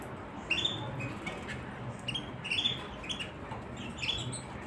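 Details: A white canary gives repeated short upslurred chirps, about one every two seconds, irregularly spaced, over a faint low background hum.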